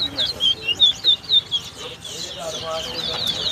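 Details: Lesser seed finch (towa towa) in a bird whistling competition at the West Side bird ground in Guyana. Loud, clear whistled notes pulse about four per second, then a softer warbled run, with low background chatter.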